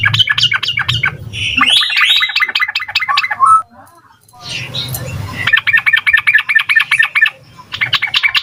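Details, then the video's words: Rapid, full song of a yellow-vented bulbul used as a lure for young birds: quick repeated chirps, a buzzy rising warble, a pause, then renewed fast chattering bursts over a steady low hum. "Suara Trucukan Gacor Ampuh Buat Pancingan Burung Trucuk Muda Agar Nyaut Cepat Bunyi Ropel Full Isian"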